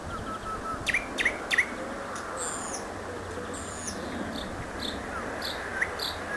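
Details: Nightingale song used as a tutor recording for cage birds: sharp upward whistles and clicks, looping high warbled notes, and scattered short chips over steady background hiss.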